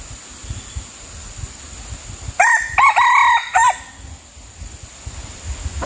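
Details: Red junglefowl crowing during a session luring wild birds with a decoy: a four-part crow, a short clipped note, a rising note, a long held middle note and a short falling end, over a steady hiss and faint low rustling.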